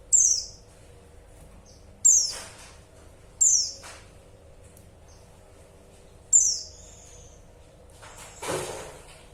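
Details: A female white-eye calls for a male, giving four piercing high notes that drop quickly in pitch, at uneven intervals of one to three seconds, with a dull noisy thump at the end.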